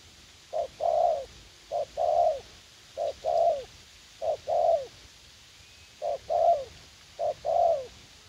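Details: Decoy spotted dove, young and eager to fight, set out for trapping in a garden at U Minh, Vietnam. It gives a steady series of six paired coos, each a short note leading into a longer, falling coo, with soft hiss behind.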